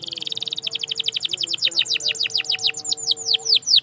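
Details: Singing canary: a fast buzzy trill, then a long series of high downward-sweeping notes that slow gradually and grow louder, with a faint low hum behind.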